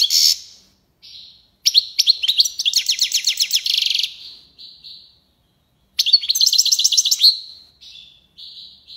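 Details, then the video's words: A European goldfinch sings its tiwawati and lipassade phrases in two long bouts of bright, rapid twittering mixed with buzzy rattles, separated by short thin whistles and a silent pause. "مقنين(حسون) تيواواطي ليباساد روعة"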